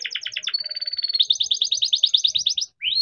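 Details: Captive-bred young canary in rolling song, used as a lure for other canaries: quick doubled chips, a level buzzy trill, then a long run of evenly repeated rising notes, ending with a rising sweep.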